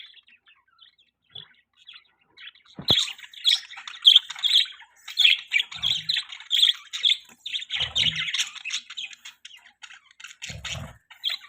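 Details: Budgerigars start quietly, then break into loud, squawky chattering, harsh chirps repeated in fast irregular bursts, with occasional soft low bumps underneath.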